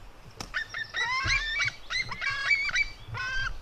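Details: Fighting white-tailed eagle eaglets, a female and her brother, utter strained, rich squealing calls, steady and slightly wavering, in bursts of several notes, preceded by a sharp knock.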